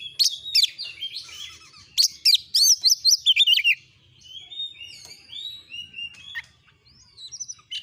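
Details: Oriental magpie-robin (kacer) singing: an opening burst of loud, rapid, high whistled notes gives way to quieter gliding whistles and scattered chirps that fade toward the close.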